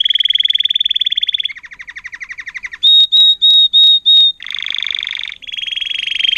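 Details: Singing Timbrado canary of 2018, agate topaz intensive yellow, taught its song, strings together a sustained high trill and a lower chopped roll. Five loud clear whistled notes come next, then buzzy rolling trills resume.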